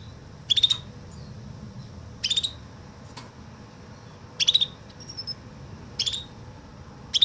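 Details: Canary singing a woodlark-imitating song: short, high, bright note clusters repeated about every one and a half to two seconds, with a low steady hum underneath.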